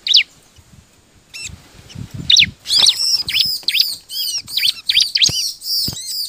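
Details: Bar-winged prinia song used as a lure to get other birds singing: a few isolated sharp chirps, then a fast run of high arched, ringing notes repeated about twice a second, with soft low thumps.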